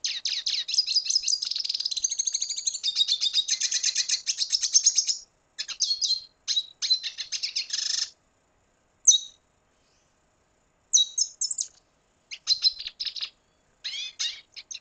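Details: Red siskin (Spinus cucullatus), song.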